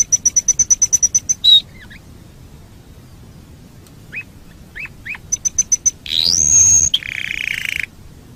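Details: Canary master recording for bird training: a high pulsed trill, a whistle, scattered upslurred chips, another trill, then a rising whistle into a buzzy roll.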